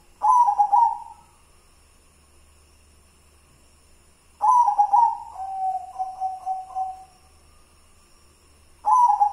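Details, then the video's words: White zebra dove of local wild stock, song style called kidang Simbar manyura: three phrases of rapid burbling coos followed by lower drawn-out trilling notes, with quiet pauses between phrases. "Perkutut putih kidang Simbar manyura"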